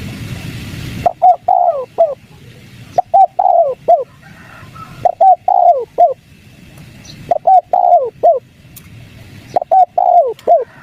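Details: A wild spotted dove answering a lure call repeats a soft, low cooing phrase of about four notes, roughly every two to three seconds, against a quiet background.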